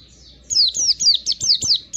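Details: Six bright, high, downslurred whistled notes from an oriental white-eye singing ngalas, delivered quickly and evenly, from a training recording meant to get other birds singing.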